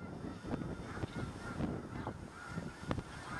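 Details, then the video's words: Tens of thousands of Snow Geese on spring migration north, resting on a farm field near Freezeout Lake, Fairfield, Montana, on a March morning; a dense, noisy chorus of overlapping honks over steady rumbling background noise. "Freezeout Lake Snow Geese"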